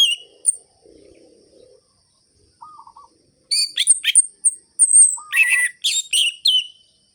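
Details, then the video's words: Orange-headed thrush singing hard in ngerol-ngeplong style, used to provoke other birds. High sharp notes, a soft low rustle, short low trills, then long chattering runs of rapid, varied piercing notes. "ANIS MERAH GACOR ABIS untuk pancingan bunyi burung anis merah yang loyo"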